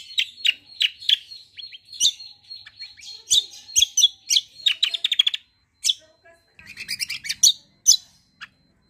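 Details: Greater green leafbird singing vigorously in a long rolling style: dense runs of sharp, high chirps and trills, quickly repeated, broken by short pauses and a final burst of chattering notes.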